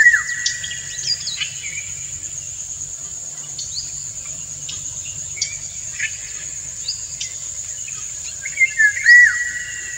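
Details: Male Indian golden oriole singing a courtship song to a female, who dances to it; clear whistled notes near the start and end with short sweeping notes between, over a steady high insect drone.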